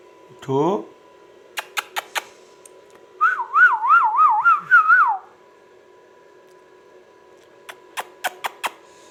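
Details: A ringneck parrot whistles a steady, regularly undulating tone for about two seconds, bracketed by a falling squeak at the start and sharp repeated clicks before and after.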